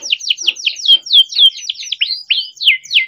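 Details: Young captive-bred canary singing a long rolling song, used to prompt young or silent canaries to sing: a rapid series of steep downward-sweeping high notes, about four per second, ending in curved up-and-down whistles.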